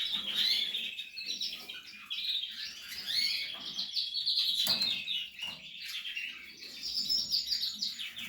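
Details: Portuguese harlequin canary while nesting, delivering continuous high chattering song of dense trills and warbled notes that swell and fade in loudness throughout.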